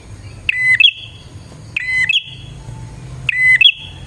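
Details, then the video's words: Lively bar-winged prinia song meant to attract wild birds: three repeated phrases of clipped high notes sliding into a steady buzzy whistle, evenly spaced, over quiet low background hum. "suara burung prenjak gacor"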